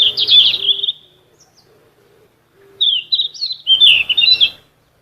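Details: Full gacor song from a sikatan emas, a Ficedula flycatcher, used as vocal therapy for caged songbirds: rapid twittering, slurred whistles in dense phrases, then a long pause before another tumbling burst.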